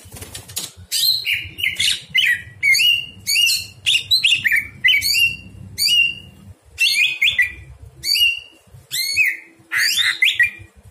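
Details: Greater green leafbird song at night, used for training other birds: a fast run of varied whistled and chattering phrases, many sweeping downward, repeated in bursts about every second, over a low background hum.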